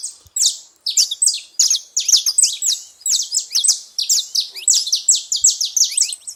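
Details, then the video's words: Saffron finch making a lot of noise at a feeding spot: dense, rapid high chirps and sharp descending notes pour out almost continuously, overlapping in busy bursts with barely a pause. "canário da terra fazendo muito barulho na seva"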